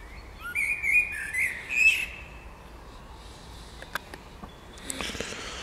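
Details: Birdsong in spring: a bird gives clear whistled notes with a warbling trill for two seconds, followed by fainter scattered clicks and a soft distant rustle.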